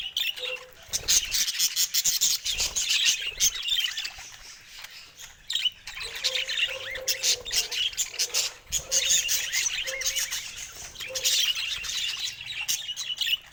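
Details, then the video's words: Several budgerigars talking and singing, a busy flock chatter of warbles, chirps and squawks, punctuated by repeated short low whistled notes in the second half. "Budgies Talking & Singing"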